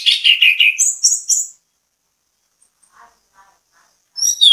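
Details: Anis kembang, the orange-headed thrush, giving bait song to prompt other birds to sing; a burst of warbled notes and high whistles, then near silence with faint distant chirps, before a loud high phrase resumes at the end.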